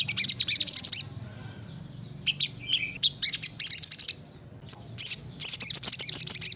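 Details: Olive-backed sunbird, known locally as sogok ontong sriganti, in gacor nembak song used to train other birds: dense runs of thin, very high tweets and rapid trills, broken by short pauses, over a faint low hum.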